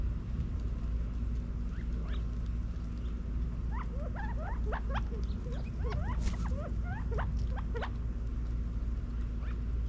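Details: California quail feeding in a back yard in Las Vegas, Nevada, in fall 2022. Soft, short rising and falling chirps come in loose clusters, busiest midway through, over a steady low hum.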